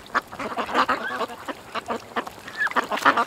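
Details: Separate nasal quacks from ducks at a creek, spaced by brief gaps, with a few higher squeaky notes mixed in.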